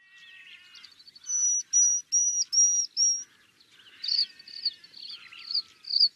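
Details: Pale-crowned Cisticola, a cloud scraper cisticola of southern Africa: a series of five high, thin, level whistled notes, then a quicker run of shorter, buzzier high notes with faint chirps between them.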